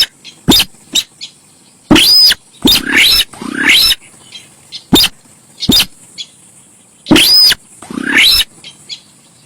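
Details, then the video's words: Javan pied starling, used as a loud lure recording: harsh, broadband bursts mixed with short sharp clicks, several bursts carrying clear whistled upsweeps, delivered in irregular clusters. "suara cruit cit cuit...burung SINTAR sawah"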